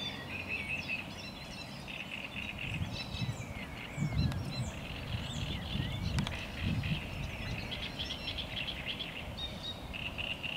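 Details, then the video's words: Great reed warbler singing at Lake Czerniakowskie on 24 May 2021. A steady run of harsh, grating, repeated chattering phrases over a constant low rumble of wind or distant traffic. "Śpiew trzciniaka"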